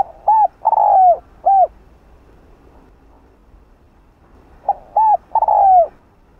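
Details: A decoy spotted dove coos to entice wild doves. Two similar phrases, each with arched coos and a long downward-sliding coo, are separated by roughly three seconds of silence.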